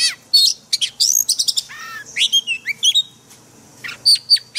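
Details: Caged-bird training song from an oriental magpie-robin in wild forest voice: sharp clicks and chips, a drawn-out harmonic buzz, then sliding whistles and clear high notes near the end.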